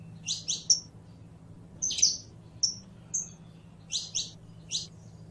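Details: Saffron finch (Sicalis flaveola), known locally as canario criollo, singing: bursts of high, sharp chips in pairs and triplets, with thin whistled notes between, spaced by short pauses over a faint steady low hum.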